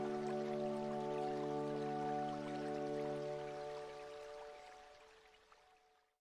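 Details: Soft, sustained ambient music with steady droning tones and a faint trickle of water fades away, and no animal voice is heard.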